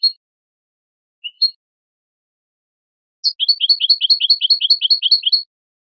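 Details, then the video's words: European goldfinch in clean Malaga-style song, meant for young birds to learn: a few isolated high chips, then a fast, even trill of about a dozen paired, alternating high notes lasting two seconds, with no background sound. "Copia malaga élégante para memorización niños de pájaros ( Jilguero y Mixto)"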